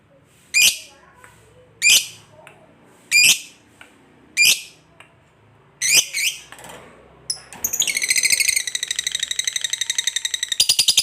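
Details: Fighter lovebird singing: five sharp high chirps spaced over a second apart, then a sudden switch to a fast, sustained chattering trill of rapid pulses lasting several seconds before a brief pause.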